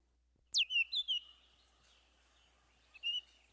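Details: Baltimore oriole song: a sharp down-slurred whistle, then three quick clear notes, a pause and one more short whistled phrase, over a quiet background.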